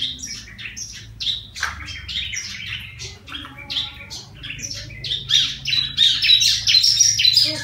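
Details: Wild-trapped yellow-vented bulbul, tamed after a month in care and now voicing: quick runs of sharp, chirping notes repeated about three times a second, growing louder and denser toward the end, with low background hum.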